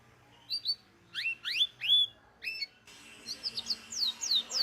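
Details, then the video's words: Local canary in a training recording giving a few separate rising whistled notes, then a quicker run of short downslurred chirps over faint background hiss. "MASTEAN KENARI LOKAL GACOR | FULL ISIAN | MASTERAN BURUNG KENARI"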